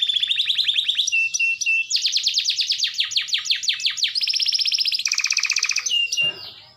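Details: Canary singing a varied rolling song to prompt quiet canaries: rapid trills at changing pitches, a run of quick down-slurred chirps, a buzzy fast roll, and a final short swooping call.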